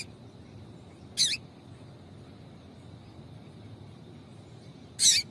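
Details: Female double-collared seedeater calling to stimulate males into song. A short, high double chirp is followed by nearly four seconds of quiet, then another sharp, bright chirp.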